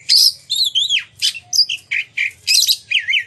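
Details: Oriental magpie-robin producing loud, varied song to draw other magpie-robins into singing and tail display: bright whistles, wavering slurs and harsh buzzy syllables in close, rhythmic bursts.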